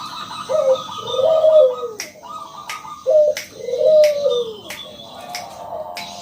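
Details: A loud, clear local zebra dove repeats pairs of low gurgling coos, each ending in a long falling note, roughly every three seconds, with sharp clicks between, meant to lure other doves into song.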